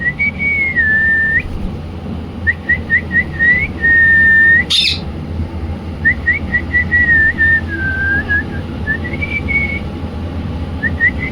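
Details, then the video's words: Indian ringneck parrot chirping in clear whistled notes, some long and level, others short and repeated in quick runs, over a constant low hum with one sharp click midway. "indian ringneck parrot"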